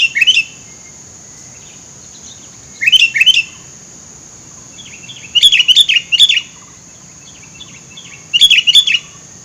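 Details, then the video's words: Sooty-headed bulbul in a thicket, sound used to attract birds: repeated bursts of two to four bright bubbly whistles, roughly every three seconds, plus softer notes in between and a continuous high whine. "mikat burung kutilang tengah belukar"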